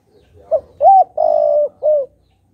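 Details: {'caption': 'Decoy spotted dove singing to provoke wild doves: a four-part cooing phrase with a brief soft note, a rising-falling coo, a long throbbing middle coo and a final falling coo.'}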